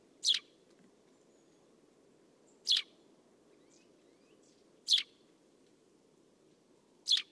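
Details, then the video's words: Eurasian Tree Sparrow uttering four abrupt, harsh chirps at roughly two-second intervals, with a few faint thin calls from other birds between them and a soft low rumble beneath. "Воробей полевой Passer montanus"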